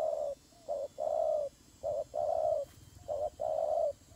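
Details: Doves fighting, with steady, evenly spaced hollow coos, short notes alternating with longer held ones, about one every half second, and a single click in the middle.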